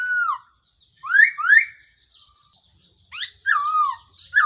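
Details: Black-throated laughingthrush, used as a trapping decoy: a falling whistle, then two rising whistled notes, a pause, and a rich wavering whistled phrase.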